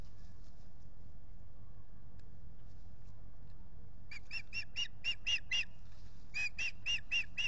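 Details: Osprey pair together at their lakeside nest in April, courting and rebuilding it; after a quiet start, rapid runs of sharp, high whistled chirps come in two bursts over a constant low hum.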